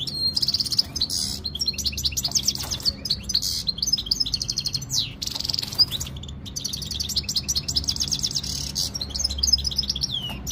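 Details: Meqnin, or European goldfinch, of Jijel, Algeria, ready to mate. Continuous energetic twittering full of rapid rattles, chips and buzzy trills that barely pause across the whole stretch, over a faint low rumble.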